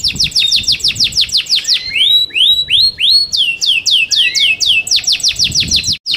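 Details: Yorkshire canary in competition song: rapid repeated descending chirps, then slower rising whistled notes, then another fast run of downward notes, loud and clear.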